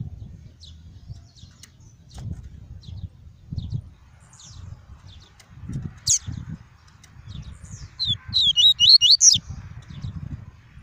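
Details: Double-collared seedeater, caged, with tuí tuí song meant to warm up and teach young birds: scattered faint chips and a single sharp note, then a rapid phrase of six slurred whistles near the end; low rumbling throughout.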